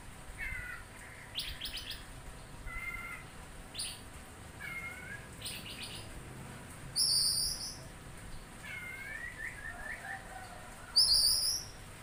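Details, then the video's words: Oriental magpie-robin singing short, separated phrases: mid-pitched whistles that slur downward, alternating with brief bursts of high, sharp, bright chirps every one to two seconds over a steady faint hiss. "KACER LANGSUNG NYAUT MENDENGAR SUARA INI"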